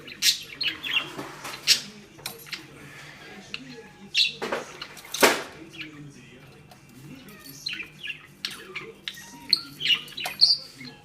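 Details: Female pet budgerigar playing with a ball on a string, frustrated she cannot rip it loose; scattered scratchy chirps and short squawks, with sharp clicks and knocks from the toy and quieter pauses between outbursts.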